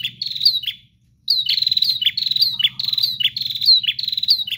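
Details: Loud, insistent bar-winged prinia song: dense strings of high chirps with sharp downward flicks, a brief silence, then a steady rapid run interrupted once by a short low buzz, over a soft low hum.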